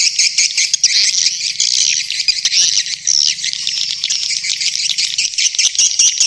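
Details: Swiftlets calling in a dense, continuous high twittering chorus, with faint low humming beneath.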